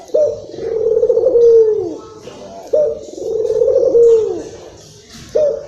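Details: Excited local Barbary dove from Indonesia, played to lure other doves: a long rolling, vibrating coo that falls at its end, repeated about every two and a half seconds, with a third coo starting at the close.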